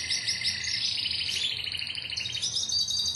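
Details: Timbrado canary from a Greek club line, 2009, producing fast rolling trills that rise from a lower roll into a higher, continuous warbling phrase.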